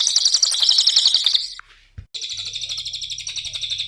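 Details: Cililin singing as a training lure for songbirds: fast, rattling, high-pitched trilled notes pour out steadily, broken by a short pause and a click, then the dense trill resumes.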